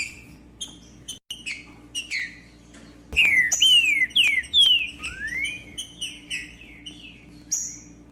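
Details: Singing Green-winged saltator, meant to warm up a silent captive bird: sparse high chirps, then from three seconds a run of clear descending and rising whistled slurs, with a low hum underneath.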